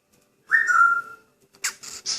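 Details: Pet grey parrot in a good mood, indoors, giving one clear sustained whistle that starts high and slides slightly downward over about three-quarters of a second, followed by short bursts of broadband chattering noises.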